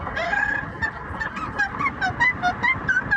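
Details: Pet yellow-naped amazon parrot vocalizing during a drive: a rapid, uneven series of short hooting notes that jump up and down in pitch, about two per second, over constant engine hum.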